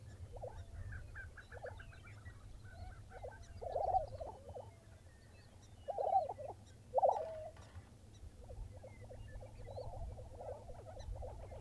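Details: A Lesser prairie chicken gathering in the early morning near Buffalo, Oklahoma, with bursts of stuttering clucks and gobbling cackles that swell louder around the middle, softer chatter between, and a constant low rumble of wind.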